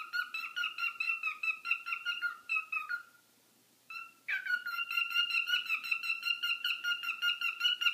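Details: Noisy pet bird sheltering indoors after a hurricane, reacting to phone talk: loud, harsh, rhythmic squawks repeated several times a second in long runs, broken by a brief pause before the shrill series resumes.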